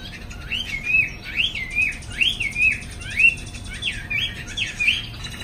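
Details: Caged Chinese hwamei singing in the afternoon, shown flapping its wings: loud, rich whistled phrases of rising and falling slurred notes, delivered in a rapid continuous run with a faint steady hum beneath.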